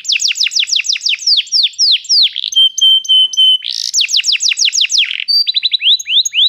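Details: Canary song for teaching a canary to sing: series of fast falling whistled notes, a run of clipped steady piping tones, a harsh burst, then more rapid slurs and a quick trill.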